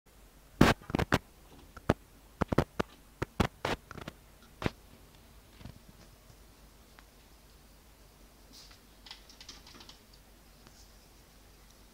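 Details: Sharp clicks of typing on a keyboard indoors, fading into quiet room hiss with faint scratches.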